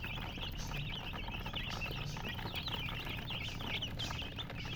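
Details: A crowd of baby chickens, colored chicks, peeping nonstop; the short, high, slightly wavering chirps overlap thickly, with a low rumbling hum beneath.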